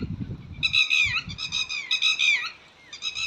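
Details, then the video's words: Red-wattled lapwing giving loud, strident, high-pitched calls in three quick bursts, each a run of sharp notes; a low rumble of wind or handling at the start. "Red-Wattled Lapwing ટીટોડી પક્ષી"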